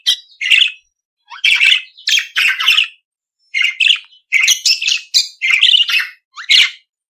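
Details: Budgerigar chatter in clusters of quick, squeaky chirps and buzzy notes, with short pauses between groups.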